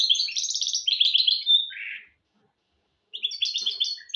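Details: Goldfinch × canary mule in song, played to teach goldfinches and canaries: a lively twittered phrase ending in a short whistle and a buzzy note, a second of silence, then another run of bright chirps.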